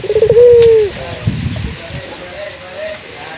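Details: Puter dove from Indonesia giving a lure coo to set other doves calling: a few quick stuttered notes lead into one smooth, level hoot, then faint distant coos over soft background noise.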